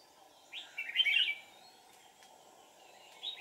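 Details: Red-whiskered bulbul decoy for trapping wild birds: one lively warbled phrase with a falling end, then a short fragment starting, against persistent low hum.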